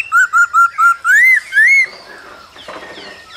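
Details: Male laughingthrush singing while dancing, female calling, cold season; a string of four short even whistled notes followed by two longer arching whistles, then quieter faint calls trailing off.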